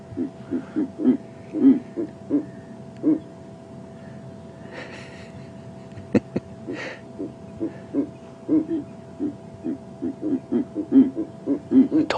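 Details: A pair of Verreaux's eagle-owls at sunrise, 28 June 2015, around 9°C, both calling, the male thought to be one, trading low, grunting hoots in short uneven bursts, like a lovers' tiff, over a steady hum with a faint voice.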